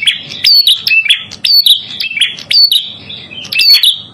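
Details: Lure and tutor recording of a red-headed prinia (prenjak kepala merah): loud, high-pitched chirping in quick bursts, sweeping whistled notes that drop then level off, about one phrase per second, sharp ticks above, soft low hum below.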